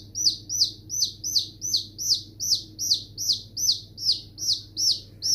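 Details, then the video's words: High, sharply descending chick cheeps repeat about two and a half times per second over a low steady hum. "Baby Chicks Sound"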